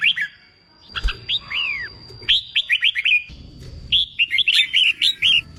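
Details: Contest-training song of a red-whiskered bulbul for stirring a freshly caught bird to sing: clear whistled notes, then rapid runs of bright chirpy phrases, with a faint continuous high tone behind.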